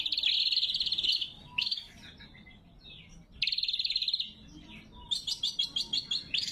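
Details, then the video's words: Lure and training recording of a lesser green leafbird, clear and natural: loud rapid trilled bursts separated by quieter gaps with soft twitters, ending in a run of quick stuttering chips. "Suara Burung Cucak Kombo Gacor | Masteran & Pikat Cucak Kombo"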